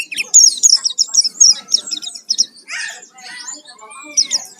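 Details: Oriental white-eye, pleci, in a lure recording to draw out song: a rapid high twittering run, then a lower buzzy burst and softer scattered chirps.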